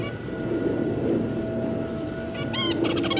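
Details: Zebra finches, two adults and their three juveniles, 2 August 2022: after a quiet stretch, a nasal stacked call followed by a run of quick buzzy notes, with a constant background hum.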